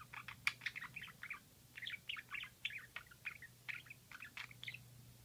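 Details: A budgerigar makes this cute squeaky "kyu" call only while stretching its wings: quick, scratchy chirps and squeaky warbles, bursts coming several times a second, over a steady low indoor hum.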